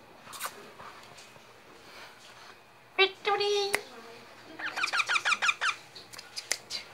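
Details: Baby parrot in Gujarat, India, talking indoors: two bursts of harsh, squeaky, voice-like syllables, the first a short harmonic cry, the second a rapid run of about eight clipped notes, over a quiet room background.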